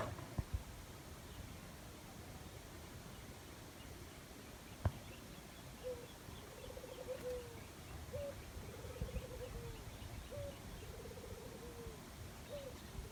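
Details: Jungle dove heard after a quiet start: three low, rolling coo phrases, each opening with a brief rising note and fading into a trembling purr, over steady forest hiss and a single sharp knock.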